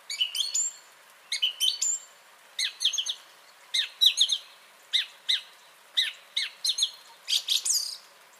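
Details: Song thrush song recorded 30 January 2021: a short sharp phrase repeated over and over, roughly every second and a half, with clicking high notes and bright whistled elements in each burst.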